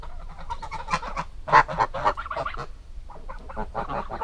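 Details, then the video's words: Harsh, nasal honks from geese, with a loud outburst around the middle, then a jumble of overlapping calls that trails off and picks up again. "Gans geräusch / Gans geluid / Bruit oie / Gänse geräusche"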